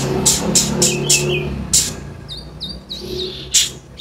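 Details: Caged-bird stimulation recording of a kolibri ninja sunbird: fast clicks with short descending notes, then high upward-sweeping whistles repeated about three times a second over low hum.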